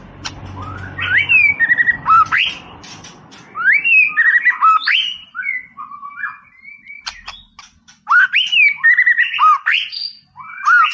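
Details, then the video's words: White-rumped shama singing hard, as a recording to provoke an opponent: repeated phrases of upswept whistles and sharp clicks in bursts, over a low, steady background hum that is strongest at the start. "MURAI BATU GACOR"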